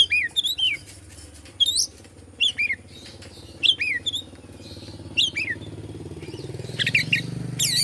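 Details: White-rumped shama in Indonesia, singing to provoke other shamas: sharp whistled upslurs and falling notes in short spaced bursts, while a passing motor vehicle rumbles louder toward the end.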